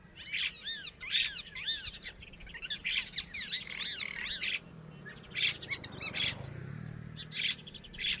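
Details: Red-wattled lapwing babies, known as Titodi, uttering rapid strings of thin, down-slurred chirps, dense at first and then spaced into short bursts, with a low rumble in the background.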